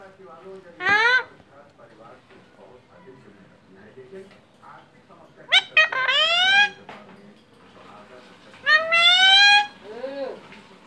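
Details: Talking Alexandrine parrot saying mummy: three loud, harsh, rising squawk-like utterances spaced several seconds apart over a low murmur of indoor background noise.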